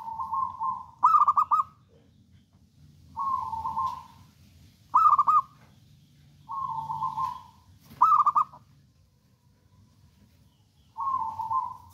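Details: Local wild-type zebra dove kept as a lure bird for trapping: soft coos near one pitch alternate with louder trilled, stuttering bursts, phrases repeating roughly every two seconds over a faint low rumble.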